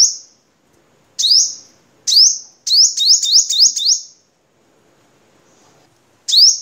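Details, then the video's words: Crimson sunbird, Vietnam, played for training cage birds: single piercing high chips, then a quick run of five rapid chips in a row, a pause, and another lone chip. "Suara Kolibri Sogok Ontong Vietnam Untuk Masteran"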